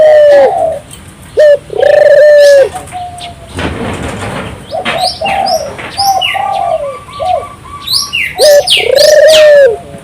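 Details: Vigorous turtle dove song meant to prompt local doves to join in: low rolling coos, each opened by a brief note, with a burst of busy high chirping from other birds in the middle.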